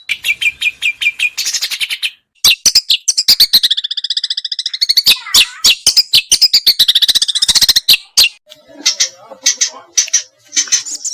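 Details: Varied chatter from small birds meant to coax a white-rumped shama into singing: rapid high chips, a sustained buzzy warbled phrase, dense clicking trills and scattered sharp high notes toward the end.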